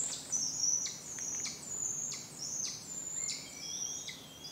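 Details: Two fledged juvenile Northern Goshawks at their woodland nest, begging noisily as an adult arrives with food. Thin, high, squealing cries slur downward, overlapping and repeating about every half second over a faint rural hush.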